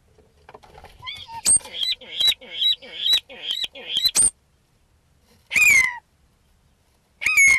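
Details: A common starling's mimicking song, said to include crowing, bleating and buzzard-like sounds: a run of repeated, nasal, wheezy notes and sharp squeaky whistles.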